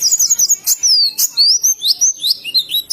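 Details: Oriental white-eye (pleci) from Indonesia singing in the ngalas style: fast, high, thin twittering of sweeping whistled notes, mostly rising and falling slurs, delivered in quick bursts with brief gaps.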